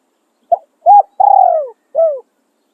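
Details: Spotted dove kept as a decoy for luring wild doves, singing one complete cooing phrase: a brief clipped note, a rounded rising hoot, a long smooth falling coo, then a shorter drooping coo; no other sounds.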